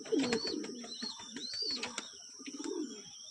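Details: A long-kept pair of domestic Lotan pigeons calling back and forth in the morning, the male inside the loft and the female outside: low, throaty coos rising and falling in soft repeated phrases.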